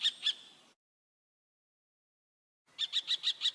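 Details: Common kestrel uttering thin, high, clipped notes, two at first, then after silence a quick run of five sharp repeated calls.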